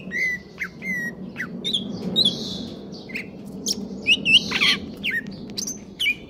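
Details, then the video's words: Greater green leafbird in stable condition singing a 'konslet kejer nembak' song: varied chattering whistles, harsh buzzy rasps and sharp downslurred notes delivered in quick irregular bursts over faint background hum. "cucak ijo konslet kejer nembak"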